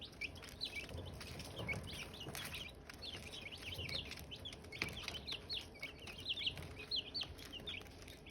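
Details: Silkie chicks and hatching eggs give a dense, overlapping chorus of thin, high cheeps. Several birds peep rapidly over steady low rumble and occasional tapping clicks.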